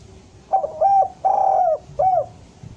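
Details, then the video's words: Cooing phrase of a spotted dove, used as lure song to bring doves down: a quick opening note, a looping double coo, a long slightly falling coo, then a brief final coo, low and soft over a quiet hum. "Suara derkuku bahan ini sangat pas untuk pancingan tekukur pikat agar mau turun"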